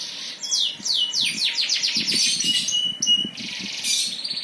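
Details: High, fast descending notes tumble in quick series from a singing bird, ending in buzzy sustained tones.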